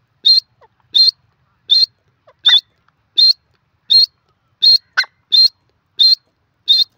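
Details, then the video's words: Desi teetar, or grey francolin, giving loud, sharp, high-pitched call notes in a steady series, roughly one every two-thirds of a second, with a couple of fainter notes between, over silence. "desi teetar ki awaz"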